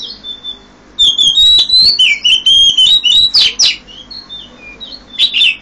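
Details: An Oriental magpie-robin (Copsychus saularis) sings loudly at around 5 a.m. Its song is a rich, varied run of clear whistles, slurred notes and harsh scratchy bursts, mostly high-pitched, heard close with little else around.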